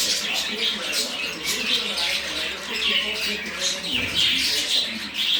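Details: Budgerigars chatter in a dense, scratchy warble of high chirps and squeaks while mating.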